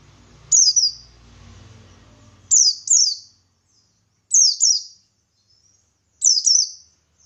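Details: Buxtoni white-eye in energetic ngalas-style song meant to bait other white-eyes; paired high downslurred chirps roughly every two seconds, low background rumble during the first seconds.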